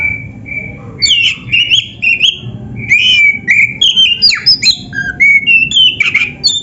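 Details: Oriental magpie-robin singing a master song for training caged birds: quiet steady whistles at first, then a lively stream of varied whistled phrases, upslurs, downslurs and scratchy notes.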